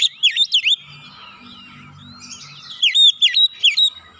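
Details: Oriental magpie-robin singing 'nembak': two loud bursts of quick, sweeping whistled notes at the start and end, with a quieter warbling stretch between them.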